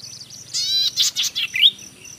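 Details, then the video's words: Golden-headed cisticola song: a short buzzy, harmonic-rich note followed by a few quick clicks and a bright upslurred whistle, in a quiet setting. "Cengkok merdu burung imut branjangan mini cici padi kepala mas"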